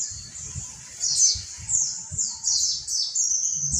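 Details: Caged Monty white-eye used as a training tutor, delivering rapid high, sweet twittering phrases that swoop downward and repeat about every half second, with faint low knocking sounds in the background.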